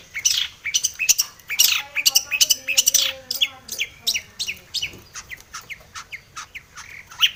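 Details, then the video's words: Energetic long-tailed shrike song, described as full of varied elements and used to stimulate silent shrikes; busy stream of sharp high notes, roughly three per second, with softer mid-pitched wavering tones in the background. "cendet gacor BIRAHI full isian ini MANJUR pancingan cendet agar bunyi"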